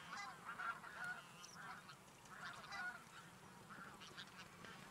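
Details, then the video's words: Geese flying to a lake for their daytime rest after feeding in fields. Distinct honks repeat about twice a second at first and thin out toward the end. "Гуси летят на днёвку Geese fly from the fields to the lake"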